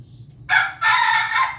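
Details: Pelung chicken at its morning feed giving a loud, raspy crow in two quick bursts, the second sustained and rich in harmonics, after a moment of near silence.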